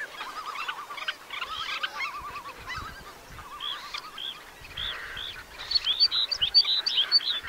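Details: Red-necked phalaropes recorded on Flatey Island, Iceland, giving quick wavering trills and clipped chirps in bursts, with higher sharp squeaky notes building toward the end against a constant rushing background.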